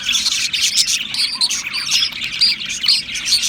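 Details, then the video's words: Australian parrots chatter in quick bursts of high chirps, about two per second, mixing thin whistles with squeaky, buzzy notes from several birds. "Beautiful Australian Parrots Chirping sounds"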